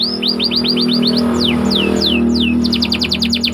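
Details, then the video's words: Canary rolling song for masteran training, a white canary: evenly spaced rising whistled notes, several long falling sweeps, then a quick run of short notes, all over a loud continuous low hum. "Burung Kenari Ngerol Rapat 🔻 Cocok Untuk Masteran"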